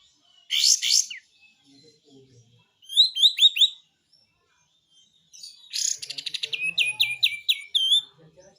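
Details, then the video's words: Gacor besetan song of a kapas tembak triller used as training material: a harsh double burst, four quick slurred notes, then a long rapid series of sharp repeated notes ending in a rising whistle. "SUARA BESETAN KAPAS TEMBAK ‼️ GACOR"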